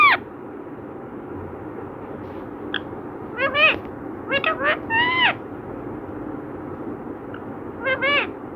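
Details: A talkative pet parrot saying words like Radhe Krishna; short bursts of warbling, voice-like syllables with rising and falling tones around the middle and end, separated by quiet stretches of faint background noise.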